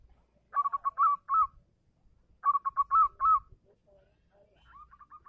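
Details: Zebra dove of a local type singing to call a female: two phrases about two seconds apart, each a run of short clipped notes leading into drawn-out trilled coos, followed by a faint, softer series of notes.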